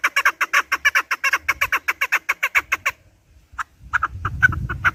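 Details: Chukar partridge repeating rough, clucking notes in a quick series, then scattered calls over a rising low rumble. The recording is used for partridge hunting.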